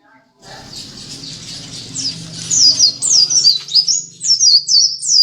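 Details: Pleci dakun white-eye, a contest runner-up, heard first behind a rumble of handling noise, then singing clearly from midway with a rapid series of high, downward-swooping chirps repeated several times a second.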